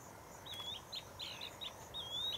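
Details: Swallow-tailed bee-eater in Gambia, 2009, giving high, thin chirps and brief rolling trills, about five in quick succession, over a soft background hiss.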